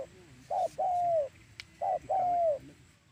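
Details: Spotted dove call used as a lure for trapping doves: soft mellow coos, a short note followed by a longer drawn-out coo, given twice, over a quiet low background hum.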